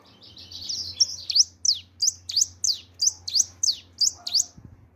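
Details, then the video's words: Bird song opens with a soft high warble, then eleven clear down-slurred whistles follow at an even pace, about one every third of a second, over a steady low hum. "bichi cantando!"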